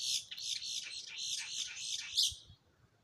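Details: Woodpecker calling at a bird feeder in Ocala National Forest, Florida, where adults show a juvenile how to wedge sunflower seeds into bark cracks. A rapid series of high, squawky chattering notes runs for about two and a half seconds, then fades.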